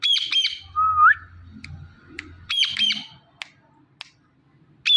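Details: A pet Indian ringneck parakeet mimics speech with raspy, squeaky syllables, a rising whistled slur near the first second, a second burst of chattering syllables mid-clip and a final clipped squeak, over faint low room hum.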